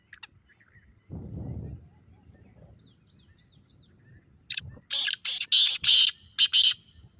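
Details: A pet grey francolin exposed to a francolin call. A brief low rumble and faint chirps come first, then a burst of five or six loud, coarse, buzzy notes in rapid sequence near the end.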